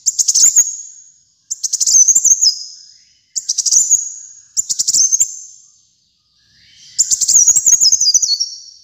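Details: Gacor kolibri muncang sunbird song for training and luring birds: five short shrill twittering bursts, the last one longer with a stepwise descending trill, all high and thin.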